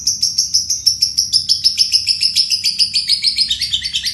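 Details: Caged fighter lovebird in a sustained ngekek konslet, the long trill used as a master for songbirds: rapid, evenly repeated sharp high chips, about three per second, dropping slightly in pitch toward the end.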